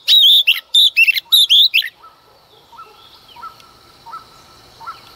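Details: Female Oriental magpie-robin singing in the early morning to provoke males: a quick run of loud, clear whistled notes with sharp buzzy edges over two seconds, then quieter repeated short notes in the background.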